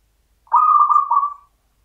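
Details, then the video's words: Zebra dove, a local champion singer in the standard Mataram rhythm, delivers a full rolling phrase of about one second. It has a smooth cooing start, then throbbing pulses and a final stressed beat that fades out. "PERKUTUT LOKAL IRAMA PAKEM MATARAM JUARA"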